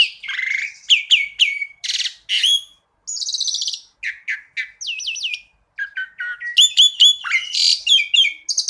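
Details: Masteran song of a jalak suren (black-collared starling), 'tembakan' style with full variation: groups of quick whistled and harsh notes separated by short silences, ending in a fast, dense flourish of high rasping calls.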